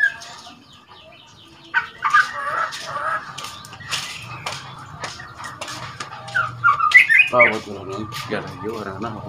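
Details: Juvenile white-rumped shama, aged two months, learning its rattling and whistling song used to provoke rival birds: dense scratchy rattles and buzzy chatter, then a run of fast, harsh, repeated notes near the end.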